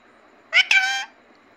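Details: Talking parrot giving a short, bright, harmonic call with a brief break in the middle, about half a second long, between a person's repeated spoken words.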